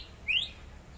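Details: Greater green leafbird from Kalimantan in full song gives a single clear, quick whistle that slides upward in pitch, over faint low background hum.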